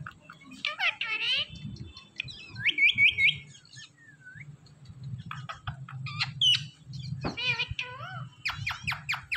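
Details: Flock of Indian ringneck parrots giving natural calls: bursts of harsh, harmonic squawks and short rising chirps in quick irregular clusters, separated by gaps, over a low steady background hum.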